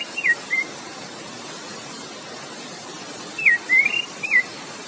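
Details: Relaxed 'ngeplong' song of an Orange-headed thrush, set against roaring water: a few brief whistled slurs, then after a pause a quick cluster of bright, looping whistles, with a constant watery hiss beneath.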